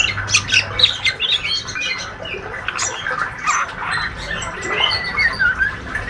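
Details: Young spotted male white-rumped shama, healthy and described as a keen fighter, giving steady ngriwik twittering: a dense run of short, scratchy chirps and thin high squeaks, rapid and irregular, with a low hum underneath.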